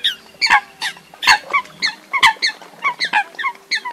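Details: Eurasian coot lure call for night netting of migrating birds in August 2024: quick runs of harsh, clipped honks, several per second, overlapping slightly, over a faint steady hum.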